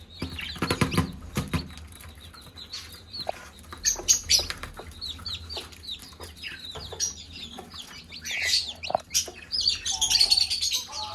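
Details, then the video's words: Many chicks peep shrilly while the mother hen calls them to food; rising and falling chirps, scratchy rustling bursts, and a few steady mid-pitched notes near the end. "Mother hen call her chicks to eat- chicken sound"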